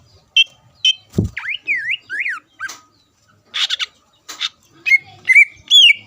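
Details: Greater green leafbird singing to provoke other leafbirds: sharp chips, a run of whistled V-shaped notes dipping and rising, raspy bursts, then bright sliding whistles; one low thump.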